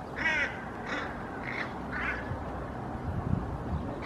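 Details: Hooded crows in a Helsinki park on 8 May 2024, mobbing a common raven until it leaves. Four coarse caws spaced about half a second apart open the clip, followed by low rumbling background noise.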